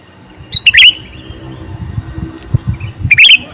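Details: Two rapid liquid phrases from a male sooty-headed bulbul, each a cluster of warbled chirps, about two and a half seconds apart, over soft low knocking sounds.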